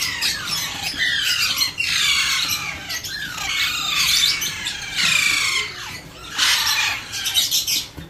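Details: Hand-fed baby Alexandrine parakeet begging with loud, grating, descending squawks that come in near-continuous overlapping bursts, briefly dipping between calls.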